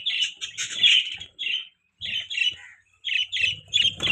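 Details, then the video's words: Budgerigars chirping, bright squawky chirps in bursts separated by short pauses, with a denser chattering run toward the end. "Budgies Chirping Sound"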